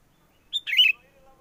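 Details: Sooty-headed bulbul call used as a trapping lure: a single brief liquid phrase, a short whistled note then a rapid bubbly warble, with quiet surroundings.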